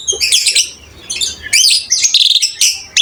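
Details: Asian pied starling gacor song: high scratchy chattering bursts separated by quieter gaps, shrill squeaky notes, thin and hissy without low tones.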